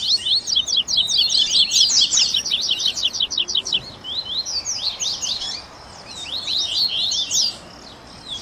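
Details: Double-collared seedeater song mix for warming up a captive bird: a dense run of high, clipped, rapidly repeated notes, followed by shorter twittering bursts separated by quiet gaps.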